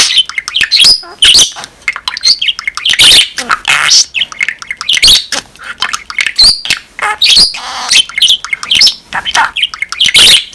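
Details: Pet budgerigar warbling indoors, a fast run of high chirps, squawks and scratchy notes with mimicked words slipped in, broken by brief pauses; a person's voice nearby.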